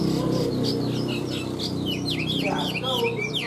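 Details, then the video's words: Caged, tame Chinese hwamei in full song, pouring out quick varied whistles and downward-slurred notes in a rapid tumbling phrase, with a steady low droning hum underneath. "Chim họa mi thuần hót tốt"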